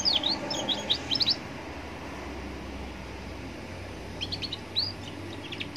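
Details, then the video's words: A young canary sings by a roadside to provoke other canaries to reply. Two bursts of sharp, rapidly repeated high notes and quick downslurs are split by a quiet gap, with a steady low rumble of traffic throughout. "Pancingan kenari paud biar bunyi dengan suasana pinggir jalan bikin nyaut berjamaah"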